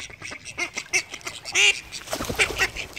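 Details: Several call ducks in flight give loud, nasal, high-pitched quacks in quick, uneven bursts, overlapping each other, over a steady rustling background.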